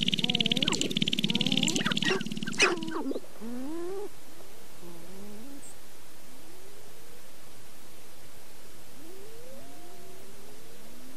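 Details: Sharp-tailed grouse in the Namekagon Barrens of northern Wisconsin in April. About three seconds of dense clucking and a low rattle stop abruptly, followed by quiet with a few faint rising and falling whistled notes.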